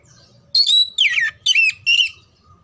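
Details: Oriental magpie-robin (kacer) song, meant to train birds for singing contests: four loud phrases mixing a held whistle, downward-sliding buzzy notes and a wavering trill, delivered rapidly over low background noise.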